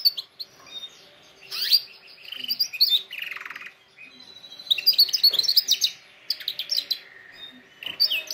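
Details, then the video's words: Canary song for training other canaries, made of loud bursts of rapid chirps and buzzy rolls separated by brief quieter gaps, with a few sharp descending sweeps. "canary singing best video to training canaries birds"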